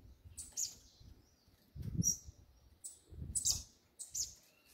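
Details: Coleiro, the double-collared seedeater, in the 'do grego' mexida style: brief piercing high notes, some down-slurred, in irregular clusters about a second apart, with muffled low knocks between them.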